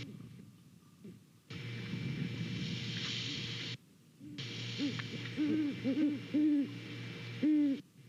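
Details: Morning nest-cam recording in Savannah, 28 November: a great horned owl pair calls to each other with a run of deep, evenly pitched hoots in the second half, after a stretch of loud hiss.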